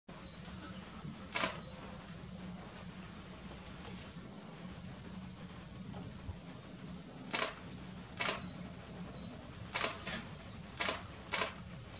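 Only sharp camera-shutter clicks, about six of them, over a low steady hum; no animal voice can be heard.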